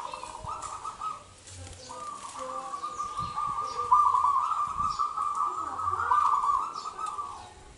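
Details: Local wild zebra dove, crystal-voiced, used as a lure for doves reluctant to sing: a long continuous run of rapid, rolling coos at mid pitch, swelling in the middle, with faint background noise.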